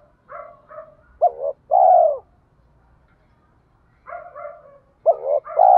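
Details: Low mellow cooing from a spotted dove, 'giọng thổ' style, used to provoke wild birds to come and fight. Soft paired notes, a quick hooked note and a long falling coo, a pause, then the same phrase again.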